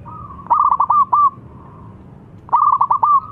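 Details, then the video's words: Local zebra dove song meant to coax non-singing doves into singing: two loud, clear phrases, each a fast stutter of short coos followed by a drawn-out final note, separated by a soft sustained coo. "Perkutut Lokal Gacor SUPER JOSSSS‼️ Pancingan yang Bisu"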